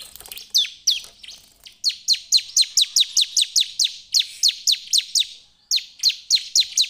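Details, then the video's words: Ciblek, or Bar-winged prinia, in vigorous lure song to trigger singing in other birds: rapid chains of sharp high chirps sweeping downward, grouped in bursts with short breaks. "SUARA CIBLEK GACOR PALING AMPUH ATASI CIBLEK LAIN IKUT GACOR ‼️ PANCINGAN CIBLEK"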